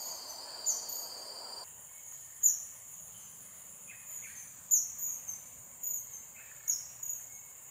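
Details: Thin, very high, sharp single call notes from a blue-eared kingfisher (Alcedo meninting), a rare resident in Singapore, come every two seconds or so over a steady buzz of insects.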